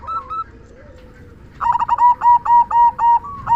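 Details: Local Indonesian zebra dove singing a loud "kung" song meant to prompt quiet doves to sing; after a soft opening, a rapid run of clear, rounded whistled notes repeats about four times per second, with a faint lower tone underneath.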